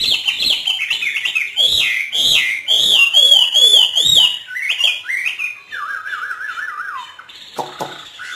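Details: Hwamei kept and trained in northern Vietnam singing freely: loud clear high whistled phrases with fast trills, then a softer rolling warble and a few sharp notes.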